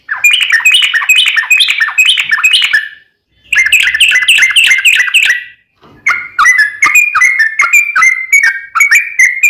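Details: Yellow-vented bulbul (trucukan) giving a long rapid trill, or ropel panjang, played to draw other trucuk into song: two dense bubbling chatters of quick repeated notes, then a slower series of clear whistled notes.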